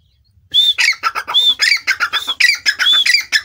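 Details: {'caption': 'Grey francolin in full loud calling: a continuous, rapid, ringing series of shrill arched whistles woven with harsh, lower chattering notes, with no pauses after the opening half-second of quiet.'}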